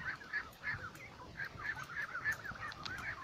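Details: Ducks in a flock near a lake make a handful of clear nasal honks, spaced about every third of a second, with softer calls from other birds behind.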